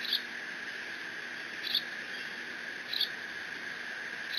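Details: On 30 June 2017 a lone bald eaglet at Decorah squees over a fish its father brought, mantling it in case siblings arrive; three sharp high squeaks about every second and a half over a constant hum.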